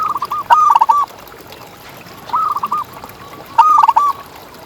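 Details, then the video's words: Zebra dove, local contest champion, cooing steadily: three rolling phrases of quick, bouncing notes spaced about one and a half seconds apart, each ending on a short held coo. "Perkutut Juara Gacor Ngalas"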